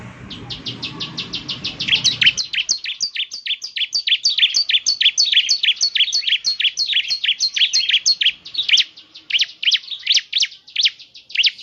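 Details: Bar-winged prinia (ciblek) song played to make a caged bird sing: a long, unbroken, rapid series of high, clipped chirps, about three per second, beginning over a low rumble that soon fades.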